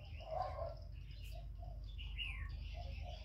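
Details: Cooing spotted dove kept as a decoy, challenging a wild bird; one strong low coo opens, followed by softer coos, while other birds chirp and give rising whistles above.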